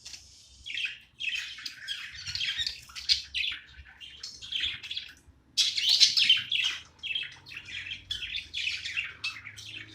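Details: Pet budgie at play with continuous busy warbling, scratchy high chirps tumbling together, softer at the start and louder after a short break.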